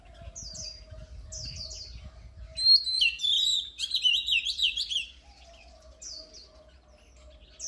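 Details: Oriental magpie-robin singing: soft high chirps lead into a loud burst of rapid, varied whistled and scratchy notes, then quiet chirps again, over a faint steady low hum.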